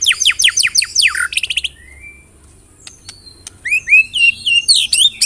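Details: White-rumped shama song used to provoke caged birds into singing: quick descending whistled sweeps, a short trill, a pause, then varied bright upslurred and downslurred whistles.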